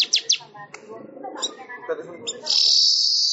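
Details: Manyar weaver song for songbird training: a few sharp chips and mixed twittering over a low murmur, ending in a loud, steady high-pitched sizzling buzz.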